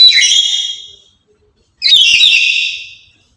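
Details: Loud chattering lory used as a lure and tutor bird for other lories, producing two long piercing screeches with a whistled ring, a short silent gap between them.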